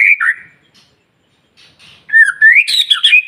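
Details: White-rumped shama lure song used to get other shamas singing: a short whistled slur, a near-silent gap with faint notes, then a loud rising whistle and a jumble of high sharp notes.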